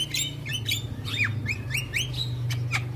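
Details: A male Javan myna's song, said to make other mynas agitated: bright rising and falling whistled notes repeated about twice a second over a steady low hum.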